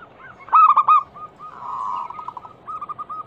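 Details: Zebra dove cooing, used as a lure to prompt silent doves to sing: a loud rolling coo near 0.6 s, a sustained hum-like note, then soft rapid coos toward the end, over a low steady background hiss.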